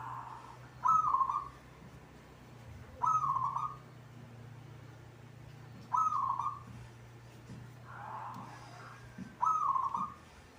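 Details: Gacor song of a caged local perkutut (zebra dove): four or five rolling, trilled coo bursts repeated every two to three seconds over a steady low hum.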